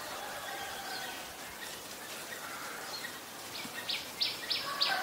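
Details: Black-collared starling recorded in Ubon Ratchathani, Thailand, on 17 November 2021: after quiet background noise, a series of loud, grating, broadband notes rapidly repeated near the end, each short and rasping.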